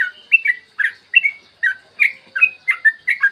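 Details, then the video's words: Yellow-vented bulbul singing a clear morning song meant to stimulate other bulbuls: quick liquid whistled notes, some slurred downward, delivered in a lively, uneven chatter. "PANCINGAN TRUCUKAN AGAR BUNYI burung TRUCUKAN GACOR ROPEL PANJANG"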